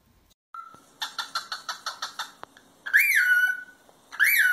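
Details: Cockatiel sounds for training a pet to sing: a brief whistle, then a series of eight harsh pulsed notes about four per second, followed by two loud, rising-then-falling whistles.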